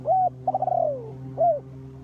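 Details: Trapping lure spotted dove gives a short arched coo, then a stuttering, trilled longer note that slides downward, then another short rounded coo, with a steady low hum.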